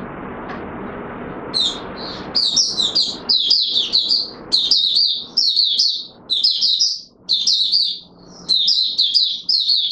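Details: Oriental white-eye in courtship mode, 25 January 2022: after a few seconds of low rumbling background noise, a sustained run of high, rapid twittering phrases begins and continues with brief gaps.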